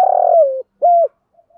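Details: Spotted dove used as a decoy, calling to lure wild doves. Starts mid-phrase with a long rolling low note that slides downward, then one clean, steady coo, followed by soft faint sounds.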